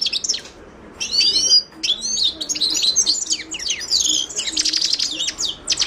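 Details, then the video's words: Carduelis caniceps song: after a short chirp and a silent beat, a Himalayan goldfinch launches into a sustained, fast, high warble of twittering and buzzy trilled notes. "تغريد حسون الهيمالايا chant de chardonneret hymalaya"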